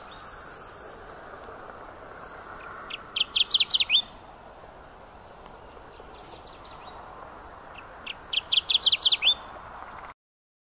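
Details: Rare Kirtland's warbler giving two songs roughly five seconds apart, each a rapid run of about seven to nine bright, emphatic chipping notes lasting about a second, against faint background hiss.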